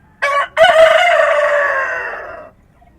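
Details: At daybreak in the countryside, a rooster gives a single loud crow: a short rough burst, then a long buzzy note that sags slightly in pitch as it trails off, with quiet morning ambience before and after.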